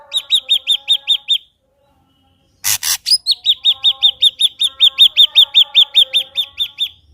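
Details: Ashy drongo singing, used as a lure to prompt another ashy drongo to sing: rapid high downslurred notes at about two to three per second. A loud harsh burst briefly breaks the series before it resumes, with faint lower tones behind.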